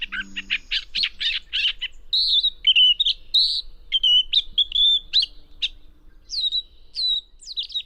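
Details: Gray catbird mimicking to an unusual degree in a restored meadow of Northern California, willows and alders around; opens with fast harsh chattering notes, then clearer whistled slurs and downswept phrases separated by short pauses, a low hum briefly early on.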